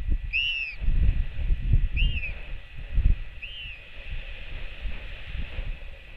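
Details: Skycall of a royal albatross chick welcoming its mother back, nest camera, 8 June 2024: three bowed, slurred whistles about a second apart, the first loudest, then only heavy wind buffeting.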